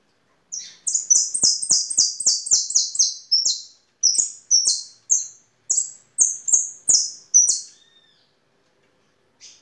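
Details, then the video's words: European goldfinch singing a sustained sequence of ringing, high, descending notes, steady at roughly three to four per second, with brief breaks between phrases and faint clicking. "Jilguero de canto"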